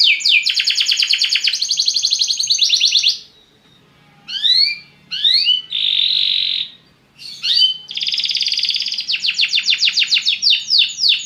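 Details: Belgian canary in full song, played to liven up other birds: long rapid high trill, short silence, sharp rising whistles, a buzzy burst, then a fast rolling trill of repeated notes.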